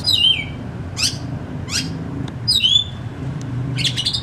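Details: Oriental magpie-robin phrases meant to prompt reluctant birds into song: a few clear downslurred whistles broken by rasping, harsh sweeps, with low background hum throughout.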